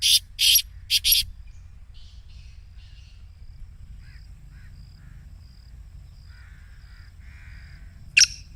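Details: Black francolin 'masti' call used to prompt a caged francolin into calling: three rasping, buzzy bursts in quick succession open the recording, then faint distant chirps, and one more sharp harsh note near the end.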